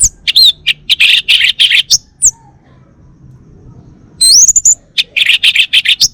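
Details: Home-kept male Bali orange-headed thrush in northern Bali sings a dense run of fast, buzzy chips and high swept whistles, pauses, then resumes with a rising whistle and another rapid stream of chattering notes.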